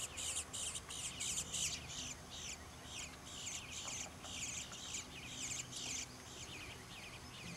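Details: Baby bluebirds begging for food in a back yard in Troy, Ohio, giving rapid, continuous high, scratchy chirps, nearly three each second, in a steady insistent run.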